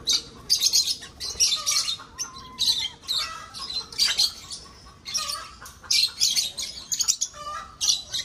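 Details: Loud harsh squawks and shrill chirps from breeding lovebirds in an aviary repeat in quick, uneven bursts, one after another.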